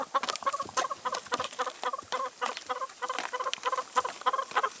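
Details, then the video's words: Chickens feeding on salad and vegetables: paired clucks repeated at a steady pace, roughly three per second, over a background of pecking taps. "CHICKENS EATING SALAD & VEGETABLES"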